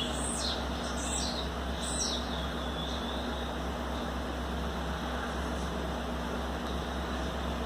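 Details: Young blue-black grassquit, 60 days old, from Bangu, Rio de Janeiro, Brazil, giving its refrain: three high, thin buzzy notes sliding downward within the first two seconds, then faint traces, over a steady low electrical hum.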